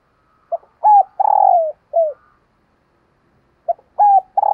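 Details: A decoy spotted dove coos at dawn to draw in wild doves. One complete four-part phrase ends with a falling coo, then after a pause of about a second and a half the next phrase begins. No other sounds.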